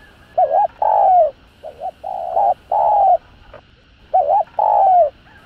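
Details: Cooing of a spotted dove, known locally as cu gáy or cu đất, played to stimulate other doves; quick doubled note then a longer falling coo, phrases repeated about every two seconds with quiet gaps.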